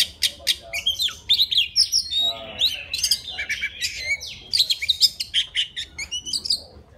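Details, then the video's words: Wild Oriental magpie-robin singing to summon a female, a busy stream of buzzy chips, short whistles and trills packed tightly together, fairly loud. "Tiếng choè than rừng hót gọi mái"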